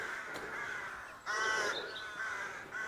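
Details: Jackdaws or crows building nests in trees in rural Ardcath village, County Meath, Ireland, in cherry blossom season: harsh, nasal corvid caws overlapping in a steady chorus of several birds, with one louder burst of calls midway.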